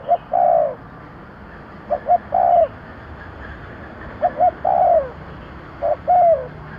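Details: Repeated spotted dove calls for luring birds over constant hiss: each phrase two clipped coos then a longer coo sliding down in pitch, four times.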